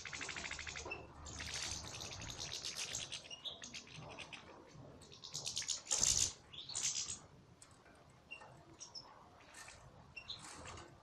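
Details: Salaka-style song from a European goldfinch: a sequence of rapid buzzy trills and twittering phrases with short gaps, one sharp loud note near the middle, then thinner scattered chirps.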